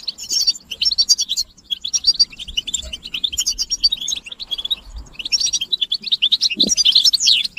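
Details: Several European goldfinches twitter together, the mating and readiness calls said to draw a silent male into song: bursts of high jingling chirps with short gaps, rising to an intense slurred flurry at the close.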